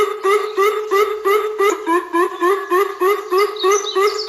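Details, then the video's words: A Greater coucal gives a steady run of deep, hollow, slightly rising notes, about three each second, with a faint high chirp from another bird near the end. "Greater coucal ka Sound"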